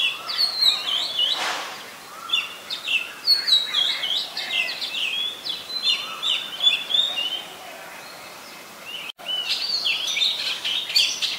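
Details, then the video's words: Oriental magpie-robin singing in Ubon Ratchathani, Thailand, on 3 February 2023: a varied run of clear whistled phrases and short chirps in the upper register, repeated in quick succession, with soft background noise and a brief gap near the end. "นกกางเขนบ้าน Oriental Magpie Robin (singing)"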